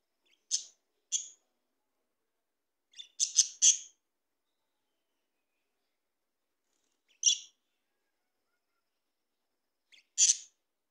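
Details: Harsh, sharp squawks from Australian parrots said to be talking, coming singly and in a quick cluster of three, spaced by several seconds of silence, each note brief, bright and noisy.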